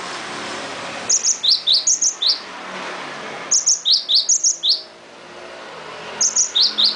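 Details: Cinereous tit singing strongly: three quick bursts of bright, high two-note phrases, each repeated five or six times, over a faint background hum.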